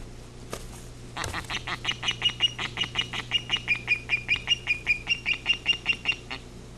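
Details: Osprey pair at a nest monitored by a live camera, sounding the alarm as a great horned owl raids the nest and takes a second chick, 12 July 2018. After a sharp knock, a rapid series of high whistled chirps repeats steadily, about two per second.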